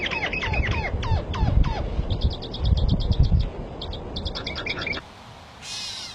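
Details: Rapid, sharp, downward-slurred bird chirps come in quick series, followed by rows of short, high, clipped notes, with low thumping underneath; it ends in a quieter, hissy stretch.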